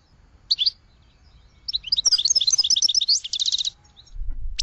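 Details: Goldfinch song: a brief high twitter, a pause, then a fast run of bright tinkling, liquid notes ending in a rapid trill, all pitched high and clear over a quiet background.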